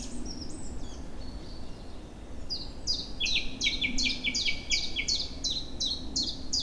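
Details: A chorus of birds just back in spring sings in woods and meadows in April, near a river in flood. A few scattered high notes give way to a fast run of clipped, falling whistles in pairs, over a continuous rushing background.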